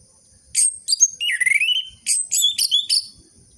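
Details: Song of an orange-headed thrush used to coax sluggish captive birds into singing: sharp high chips and buzzy stutters around a lower, sweeping whistled phrase, closing with quick squeaky notes.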